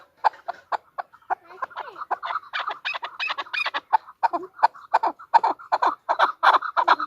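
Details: Calling female chukar partridge: scattered chucks quicken into a rapid, rasping chatter that builds in loudness over seven seconds.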